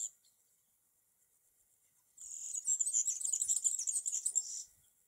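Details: A European serin sings from a tree in summer: after a short quiet start, a two-and-a-half-second outburst of very high, rapid, fizzing, jangling notes, then fading to quiet.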